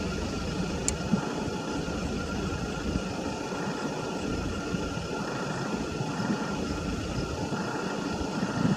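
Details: Steady broadband hiss of rain with low traffic-like rumble, a faint constant tone, and no animal voices.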